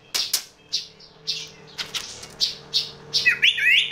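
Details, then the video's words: A sooty-headed bulbul's unusual sound: rapid high chirps mixed with dry clicks and rustling, ending in a short twisting warble; a quiet low hum persists underneath. "TRUCUK SUARA ANEH"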